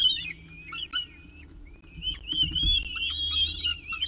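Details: Peregrine falcon nestcam, Orange, 18 October 2018, 6:51 pm, evening meal: overlapping thin, high whistles, first short and scattered, then a sustained quavering squeal running through the second half.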